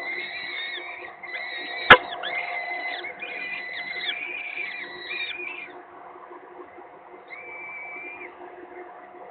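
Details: Peregrine falcon chicks being fed at a nest in Gdynia, Poland, on 19 April 2021, near the end of their head-bobbing stage. Thin, harsh, harmonic calls overlap in bursts, then fade to a lone drawn-out note, with one sharp click and a steady low hum.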